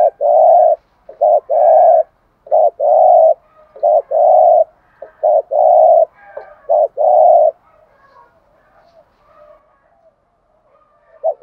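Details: Decoy spotted dove giving rapid thúc gù coos meant to stimulate rival doves: a run of short and longer hollow notes for about seven seconds, then near silence with faint distant coos.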